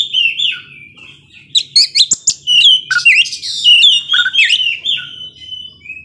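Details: Oriental magpie-robin singing to provoke emotion in slower birds: a rich, varied stream of whistled slurs, sharp clicks and quick chattering notes, mostly high-pitched, with swooping downward and upward whistles; faint low hum in the background.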